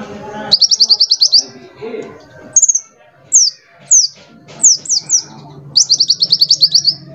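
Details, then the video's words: Lure song of a small shiny sunbird valued for its varied voice: opens with a quick high trill, then a string of separate thin down-slurred notes, closing with another rapid pulsed trill. "KOLIBRI GACOR // PANCINGAN MASTERAN"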